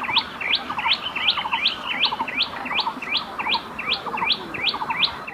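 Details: Loud, insistent song of a common tailorbird, a bird of gardens and human habitation in South and Southeast Asia: repeated rising whistled notes with lower buzzy accompaniment, delivered in a rapid even series.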